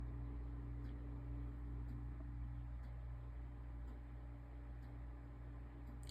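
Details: A steady low mechanical hum, like a fan or engine running indoors, with a few faint ticks and no animal voice.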